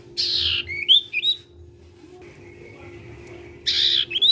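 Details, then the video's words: Actively singing sirtu, used to prompt other sirtu birds to sing; harsh buzzy bursts alternate with short rising whistled slurs, a quiet gap in the middle, low electrical hum beneath. "SIRTU CIPOW GACOR BIKIN SIRTU BAHAN IKUT BUNYI."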